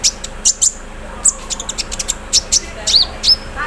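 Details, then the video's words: Brief morning burst from a sunbird aired in the dew: rapid high ticks and chips with tiny clipped whistles, evenly spaced. "KONIN KELUAR ISIAN MESIN BORDIR, CERRR SAAT DI EMBUNKAN PAGI HARI"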